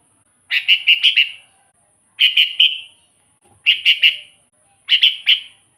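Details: Sooty-headed bulbul recorded as a lure and tutor: four phrases of three to five quick, bubbly whistled notes, repeated about every 1.5 seconds against a quiet background.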